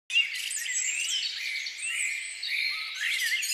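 Common myna giving a busy, unbroken run of chattering notes, mixing harsh rasps with brief whistles and gurgles. The calls overlap as though from several birds.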